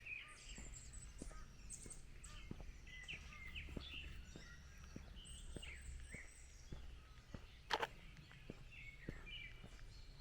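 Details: Birds singing on a morning walk along a forest path on the Baekyangsa road: many faint, high chirps and short whistles overlapping throughout, over steady footsteps about every half second and a low outdoor rumble.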